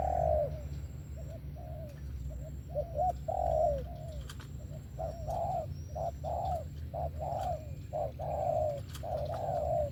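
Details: Spotted dove singing thổ style: a few quieter coos at first, then a steady series of short and long hooting notes, over a low constant hum.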